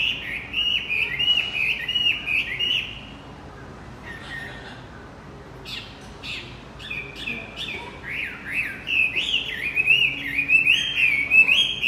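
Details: Javan white-eye song used as a lure for a male that has stopped singing: rapid, high, warbling twitters in bursts, pausing briefly near the middle before resuming more densely and loudly toward the end.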